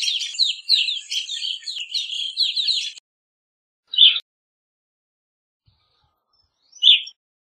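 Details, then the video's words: Evening grosbeak with three seconds of fast, overlapping twittered notes, then silence broken by two single clear chirps about three seconds apart. "Evening Grosbeak Singing, Grosbeak Calling - Pepitero Norteño Canto"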